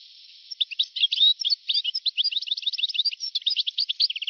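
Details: A European goldfinch sings continuously in an old recording made between 1982 and 1990. Rapid, tumbling twitters and trills of bright, high notes pour out with hardly a break. The sound is band-limited and slightly hissy.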